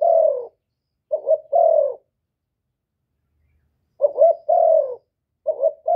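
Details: Rival-provoking call of a spotted dove, Cà Mau, Vietnam: a trailing long coo, then paired phrases of clipped double notes and sustained hollow coos, a two-second pause, and more phrases, in complete quiet.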